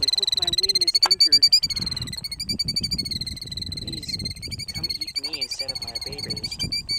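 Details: A parent Killdeer on a nest in the middle of a gravel road, trying to distract potential predators, gives a shrill, high, rapidly pulsing, almost unbroken trill over low rumbling background noise and faint voices.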